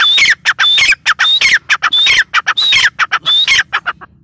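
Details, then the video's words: A grey francolin gives loud, harsh, ringing calls in a rapid series, each broken by a high whistled note, repeated throughout. "Teetar voice | teetar sound | gray partridge sound"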